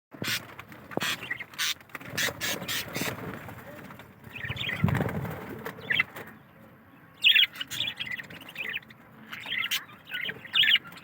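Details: A colony of budgerigars kept for breeding chirps in short, bright bursts amid rustling and wing flutters.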